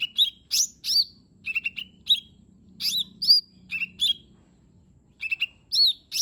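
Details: Full-repertoire song of the lesser green leafbird (cucak ijo mini), used to coax a reluctant bird: clusters of chattering chirps mixed with sweet downslurred whistles, delivered in uneven bursts.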